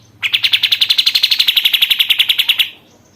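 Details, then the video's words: Sooty-headed bulbul kept in a cage for a month, singing frequently: one fast burst of about twenty clipped, bright notes in quick succession, lasting around two and a half seconds before stopping. "BURUNG KAPAS TEMBAK GACOR"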